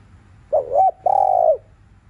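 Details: Afternoon 'thúc liu riu' cooing of a spotted dove, played to excite caged birds: a brief broken double hoot followed by one drawn-out, even, low coo that drops at its end, with quiet background hum.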